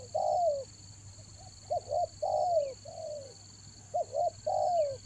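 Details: Repeated low coo phrases of a spotted dove, used for luring in the rainy season: long falling coos alternate with pairs of short clipped notes, over a steady high electronic hum.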